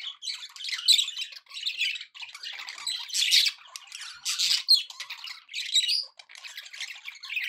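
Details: Happy pet budgies chattering nonstop: a dense, scratchy warble of squawks, clicks and chirps in quick bursts, rising and falling in loudness, with no other sounds.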